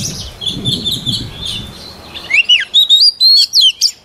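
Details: Training song of a white-rumped shama: soft warbling at first, then loud, clear whistled phrases that rise and fall sharply, delivered in rapid bursts.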